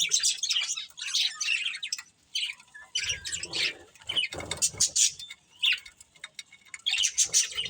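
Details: Budgerigars, a breeding pair, chattering in dense bursts of high, scratchy chirps and short warbled notes with brief pauses, plus faint wing flutters and low rustling in the middle.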